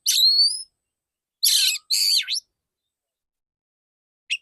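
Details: Male white-rumped shama singing: a high clear whistled phrase with level notes, then two loud harsh rasping bursts ending in a sweeping downward-then-upward whistle, followed by a brief chip.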